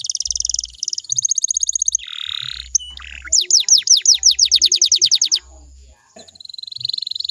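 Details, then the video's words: Canary song played as a lure to make other canaries sing back: shifting phrases of fast high buzzy trills, a lower rasping burst, then a rapid run of downslurred whistled notes, with faint low thumps underneath. "DI JAMIN KENARIMU BAKAL IKUT NYAUT KALO DENGERIN SUARA INI"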